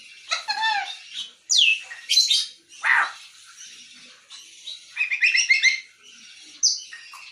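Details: Grey parrot chattering with a mix of harsh squawks, downward-sweeping whistles and fast warbled, speech-like syllables, in uneven bursts with brief silences between.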